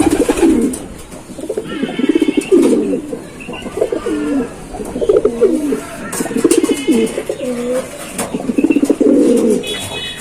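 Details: Giribaz pigeons cooing: overlapping low, throaty rolling coos, each a bubbling swell that rises then drops, repeated in steady waves through the recording, with faint higher chirps and light clicking in the background.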